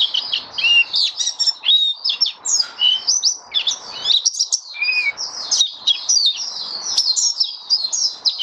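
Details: Caged white-eye (mata puteh) opening into song on 23 March 2022, its keeper adjusting nutrition for warm humid weather; a rapid, high, tumbling twitter of thin whistled notes and short rising slurs, almost without pause.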